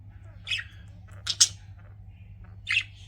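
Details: Pet budgies give a few short, harsh squawky chirps, a pair close together mid-way and another at the end, with quiet between and a faint hum beneath.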